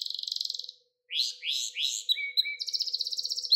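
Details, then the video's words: Canary song for training young canaries: a fast buzzy trill, a short pause, rising sweeping notes, a low whistle and another dense trill, with a faint steady hum. "Ders Gibi Kanarya Sesi Ve Ötüşü"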